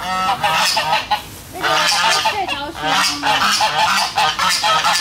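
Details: Several domestic geese honking in loud, raspy, overlapping bursts with brief dips between volleys, ducks audible among them; a rather noisy gathering recorded on 13 August 2016.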